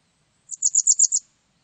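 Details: A Japanese wagtail sings one brief burst of five thin, high twittering notes, each one clipped and rapid, with a quiet lead-in note and nothing else audible around it.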